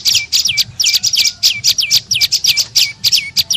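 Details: Tailorbird (prenjak lumut) calling as a lure to attract birds: bright high notes, each ending in a falling hook-shaped slur, repeated several times a second.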